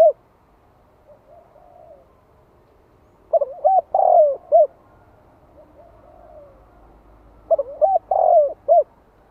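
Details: Spotted dove, a decoy bird calling in the 'gáy gọi' and 'thúc' style to stimulate wild doves: two low, mellow cooing phrases of several hooting notes with a rolling ending, about four seconds apart, with faint softer coos between.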